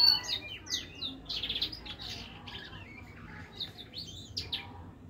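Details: Hybrid finch-siskin mule singing busily: varied bright chirps, down-slurred whistles and twittering phrases in quick succession, with a faint low hum underneath.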